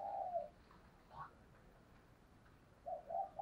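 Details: Captive spotted dove used as a lure bird, singing to call in wild doves. Low, hollow coo notes open the clip, a faint note follows in the middle, then two more soft coos near the end, in a quiet indoor setting.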